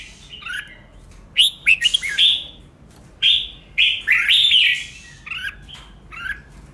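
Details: Red-whiskered bulbul in competitive singing, played to rouse newly caught caged birds; short bright warbled phrases, rising and falling, come in bursts with brief pauses between them.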